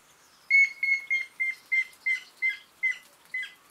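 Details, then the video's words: Grey-headed woodpecker call: a series of about ten clear whistled notes on a near-even pitch, delivered at roughly three per second, gradually slowing and growing slightly harsher toward the end, in a quiet setting. "Chamada do pica pau de cabeça cinzenta! Som do pica pau de cabeça cinza!"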